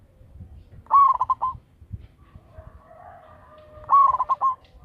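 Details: Lure zebra dove of local type with a strong voice, giving two stuttered cooing phrases three seconds apart, a faint tonal hum between them.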